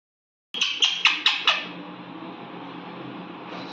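A rose-ringed parakeet gives five quick, harsh, high squawks in about a second, then falls silent over a faint room hiss.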